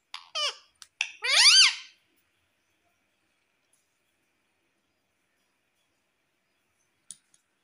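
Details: Pet Indian ringneck parakeet known for saying "mummy" and "papa": a quick set of sharp harmonic, downward-sweeping utterances, the last one longer and arched, then near silence with one faint click.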